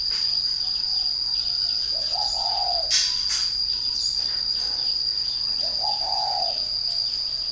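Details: Spotted dove, a caged bird said to coo right after being hung up: two low, rolling cooing phrases about four seconds apart, over a constant shrill insect whine with a brief rustle between them.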